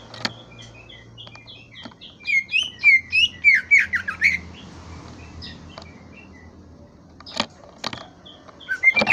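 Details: Greater green leafbird song: a run of clear, varied whistled notes, some slurred and some sharply rising or falling, delivered in a quick burst at mid-clip. Scattered sharp clicks and a low hum sit in the background.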